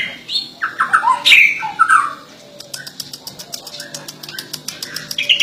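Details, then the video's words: White-rumped shama giving a quick string of loud varied whistled phrases for about two seconds, then quieter scattered notes over a steady series of sharp dry clicks repeated roughly twice a second. "Murai Batu gacor chirping"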